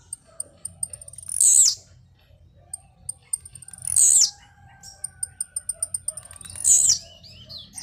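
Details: Three high, harsh, downward-sweeping bursts come roughly every two and a half seconds as a blue-black grassquit sings during its jumps. Quick series of faint high ticks run between them.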